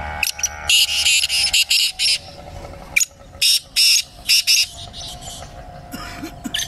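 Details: Francolin (teetar) heard during a voice competition, giving grating, high-pitched bursts in irregular clusters of three to five, separated by short gaps, with faint low rumble and distant soft chirps underneath.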